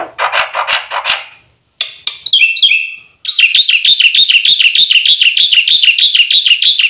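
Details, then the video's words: Training song of a black-winged myna (white starling), full of filler phrases for stimulating birds to sing. Harsh rasping notes and two falling whistled slurs lead into a long, even, rapid series of bright repeated chirps. "suara burung jalak putih full isian RAJANYA PANCINGAN - MASTERAN bikin gacor"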